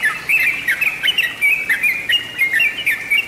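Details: Lure recording of a sooty-headed bulbul, used to draw in birds: bright chirping notes, each dipping or bending in pitch, come in quick clusters about three times a second.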